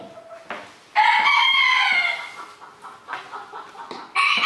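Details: Crowing rooster at a 2022 crowing contest in Villers-la-Ville. One bold, sustained crow of over a second is followed by scattered clucks, and another crow begins right at the end.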